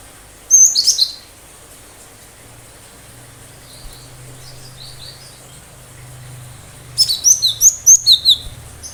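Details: Cinereous tit singing the 'tembakan tajam' sharp-shot style meant to provoke responses from other birds; a short shrill burst, a long quiet gap with faint notes and low hum, then a rapid series of about eight piercing high chips.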